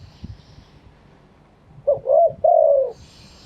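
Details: Spotted dove in Thailand calling in true wild-style phrasing (kharm pa thae): after a quiet start, a single phrase of a short coo, a longer coo and a drawn-out descending final note; faint background hiss.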